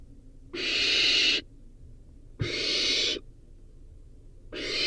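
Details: Barn owl chick eating a rodent produces drawn-out, noisy screeching hisses, about one every two seconds, with a faint click between them.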